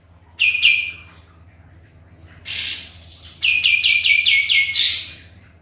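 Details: Sooty-headed bulbul singing vigorously, used to lure other birds into answering: a short burst of notes, a harsh bright squeal, then a fast run of six descending notes ending in a rising sweep; steady low hum.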